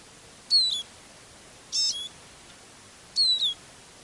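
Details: Decoy Eurasian siskin calling at a songbird trapping hide on a day of very dense fog with a northerly wind; three high, thin, slurred descending notes come at intervals of about 1.3 seconds against a quiet background.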